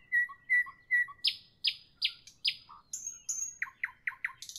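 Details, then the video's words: Evening nightingale song with three clear whistled notes, then several loud descending sweeps repeated about twice a second, a high whistled phrase, and quick downward-slurred chirps. "Evening nightingale, nightingale song, nightingale"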